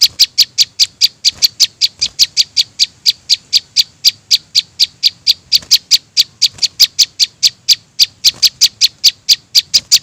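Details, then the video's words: Young prinias calling, a lure recording for trapping small birds: an unbroken run of bright, clipped high chirps, about four per second, steady and insistent throughout. "suara anakan prenjak bawah 100% di jamin ampuh buat pikat"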